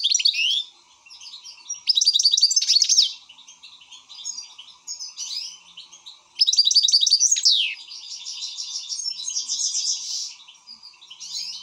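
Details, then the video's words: An excited European goldfinch sings fast liquid twitters mixed with loud bursts of rapid trills and descending whistled sweeps, phrases broken by brief quieter pauses; steady faint hum in the background. "حسون هائج"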